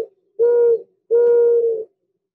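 Mourning Dove giving two soft, hollow, low coos, the second drawn out longer than the first, steady in pitch and mournful in tone.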